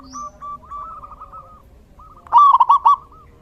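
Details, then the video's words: Zebra dove singing in the rainy season, a soft drawn-out string of coos followed by a loud, rapid burst of five wavering coo notes. "Suara Terapi perkutut/Merbuk di Musim Hujan!!!"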